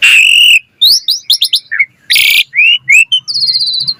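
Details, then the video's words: Asian pied starling, vigorous fill-rich training song: a long steady whistle, quick chirps, a loud harsh rasp, then upward whistles and a buzzy high note. "Jalak Suren Gacor Full Isian Cocok Buat Masteran Suara Burung Jalak Agar Gacor Full Isian Mewah"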